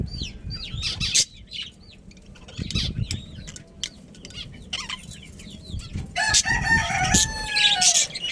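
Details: A breeding colony of budgerigars, Australian parrots: curved high chirps scattered through the first seconds, then harsh, noisy squawks mixed with what sounds like flapping wings near the end.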